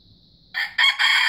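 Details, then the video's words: Start of a white junglefowl's crow, a sudden loud harsh note followed by a rougher, louder segment that is cut short. A steady high whine is heard before it. "Kokokan Ayam Hutan Putih Terbaik"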